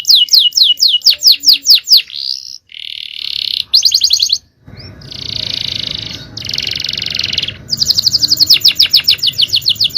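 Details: Male canary performing a champion-style song phrase as a master recording: fast descending sweeps, several long grating buzzy churrs separated by brief gaps, and a closing burst of quick trilled notes.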